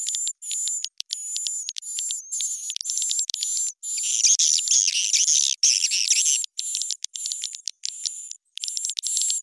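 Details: Swiftlet lure call with heightened pitch and tempo, for swiftlet houses: regular chirping bursts about twice a second over a high steady whistle, swelling midway into a louder, dense rasping chatter before settling back.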